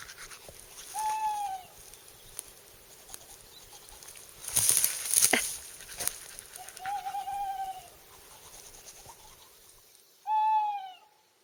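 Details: Tawny owl in late April, hooting in the evening on an island at Skarvann, Aust-Agder, Norway, while campers prepare to sleep under the stars; three long, slightly falling hoots spaced several seconds apart, with a brief rustling noise between.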